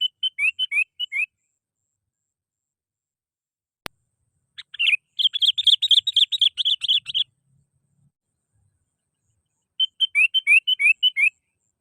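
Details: Sooty-headed bulbul calling, a lively call recording used as a lure to attract birds: bursts of quick, bubbly whistled notes rising and falling, in short phrases at the start and end and a longer chattering run mid-way, with a single sharp click between.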